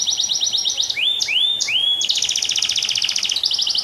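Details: Vigorously singing canary, tutor recording: a quick high trill, three long rising whistled slurs, then a dense buzzy rolled trill carrying to the end.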